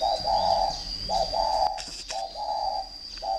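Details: Fighting-type spotted dove from a bird farm in Ba Vì district, Hanoi, Vietnam, giving soft, low hollow coos in pairs, a short note then a longer drawn one, repeated about once a second, with a steady high whine and faint chirps behind.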